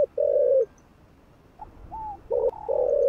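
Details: Kept spotted dove cooing to rouse other doves: a long level low coo, a pause with faint higher slurred notes, then a short coo and another drawn-out low coo, loud and close in a quiet setting.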